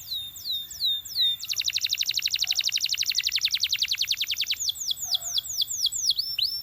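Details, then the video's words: Belgian canary singing to draw other canaries into song: a few falling whistles, a long rapid rolling trill of about three seconds, then more hooked downslurred notes. "Belgian Canary Seducing Friends to Sing!"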